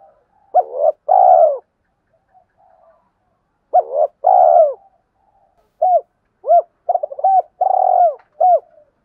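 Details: Spotted dove calling to provoke rival males: short coos, a long buzzy vibrating coo that slides downward, then clipped arched notes, the phrase repeated about every three and a half seconds with quick extra notes near the end.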